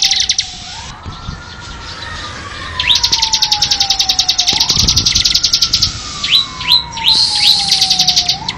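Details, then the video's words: Bar-winged prinia song intended for songbird tutoring: soft opening, then a fast series of sharp high chips followed by a few separate upward-flicked notes, accompanied by a continuous rising and falling siren-like tone. "SUARA BURUNG CIBLEK"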